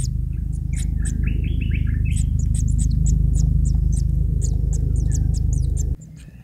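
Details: Kingfisher chick, still pink and naked, being fed fish by its parent until full: quick high squeaky chirps about three to four per second and a short run of wavering mid-pitched notes, over a loud low rumbling background.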